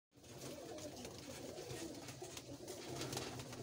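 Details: A pair of Kalduma breed pigeons giving low, soft cooing steadily under a hissy, noisy indoor background.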